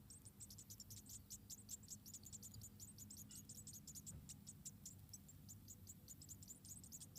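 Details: White-headed munia chicks begging at the nest during feeding by the mother, around four young: a fainter, fast and unbroken chatter of very high thin squeaks with a noticeable low rumbling hum underneath.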